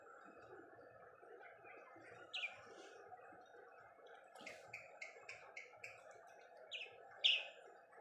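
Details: Budgerigars feeding together keep up a steady, scratchy warbling chatter broken by bright, sharp chirps, with a quick burst of four or five runs near the middle and louder single chirps toward the end.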